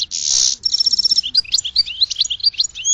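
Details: A goldfinch sings, opening with a harsh buzzy wheeze, then a rapid liquid twitter of high chirps and short whistles that continues without a break.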